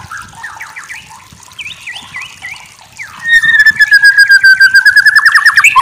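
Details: Murai batu (white-rumped shama) masteran song: soft repeated V-shaped chirps, then a loud long whistle turning into a fast even pulsing trill.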